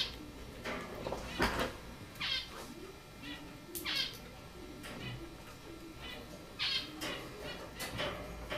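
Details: A hand-raised female cockatiel on her play area gives bright, chirping calls at irregular intervals, some rising and falling in pitch.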